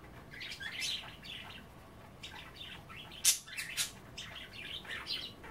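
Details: Chattering pet budgerigars nibble kale in a water dish at bath time; nearly continuous twittering warbles, uneven and busy, punctuated by loud sharp clicks partway through.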